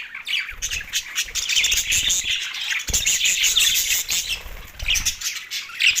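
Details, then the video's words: Male budgerigars, a pair of pets, chirping and warbling nonstop in a bright scratchy jumble, with occasional soft knocks and thumps beneath. "2 Male Budgies parrot chirping sounds"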